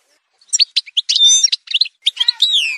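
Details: Short Algerian goldfinch song excerpt from a montage: separated chipping notes, a brief buzzy rattle, then twittering and a drawn-out, wavering nasal slur at the end.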